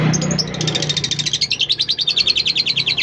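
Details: A tame female lovebird delivers the ngekek long trill, a stimulant for training other lovebirds to sing often; a brief scratchy start gives way to a rapid, regular string of sharp repeated notes.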